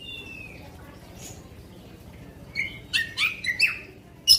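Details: Oriental magpie-robin song meant to excite other magpie-robins: a brief whistle, a quiet stretch, then a few loud, sharp, slurred whistled notes in quick succession and a final sharp note.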